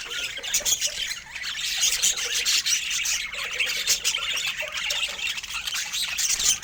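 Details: Several pet budgerigars twittering together in constant high chatter, squeaky warbles and clipped chirps overlapping, with sharp peaks recurring irregularly across the whole stretch.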